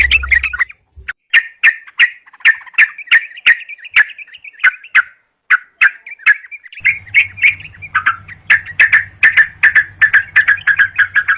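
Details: Yellow-vented bulbul song used to lure birds and challenge them to fight; a long run of sharp bubbly chirps repeated steadily, at first in near silence, later over a low hum.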